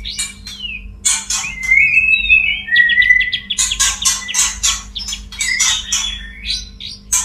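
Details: Courting male white-rumped shama, a mating call aimed at a female: long rising whistles in the first half, then a rapid string of harsh clicks and short whistles, with a faint hum beneath.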